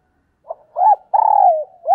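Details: Spotted dove decoy cooing to provoke wild birds, one phrase heard: a short soft note, a rising-falling coo, then a long hoarse note gliding downward, cut off by the start of another coo.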